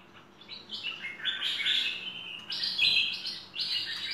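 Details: Full-fill song from a Cream-vented Bulbul (merbah lekir): sweeping warbled phrases that rise and fall, repeated in several bursts, with a low hum underneath.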